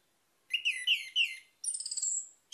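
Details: Orange-headed thrush singing a lure song meant to coax other birds into song: rich warbled whistles around the middle range, then a rapid high ringing trill that slides slightly downward, and a brief fresh note at the end.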